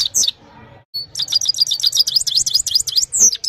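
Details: Evening song of a Himalayan goldfinch, recorded on an Oppo A76 phone: after a brief gap, a fast, dense run of high, bright, tinkling twitters, ending in a sharp falling note; faint low hum beneath.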